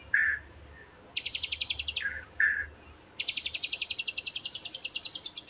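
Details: White-rumped shama singing in a recording meant to provoke a rival into song: short rich whistles alternate with long, rapid rattling trills of sharp high notes, over faint low background hum.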